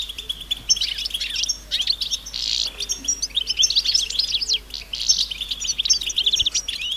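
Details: European goldfinches in a collective chatter of mating calls meant to get males singing: lively high twitters, trills and buzzy bursts overlapping, near-quiet background.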